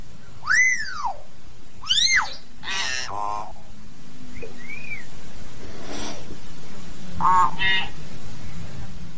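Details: Common hill myna singing to call its flock: two loud arched whistles rising then falling about 1.5 s apart, followed by harsh rasping bursts, a soft upslurred whistle, a noisy burst and a buzzy final note, all over a steady low rumbling background.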